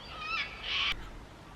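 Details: A distant, unseen lyrebird in Victoria, Australia, calling from deep in rainforest, gives a brief run of clear, high whistled notes rising into a louder, ringing burst, then stops against a quiet forest background; heard imitating.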